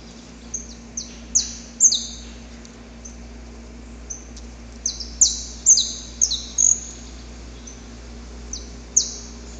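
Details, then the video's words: Saffron finch recorded in the wild, song used to stimulate captive birds: sharp, very high chips and short slurred notes in irregular bursts, about two a second, over a steady low hum. "Canto Para Esquentar o Canário da Terra"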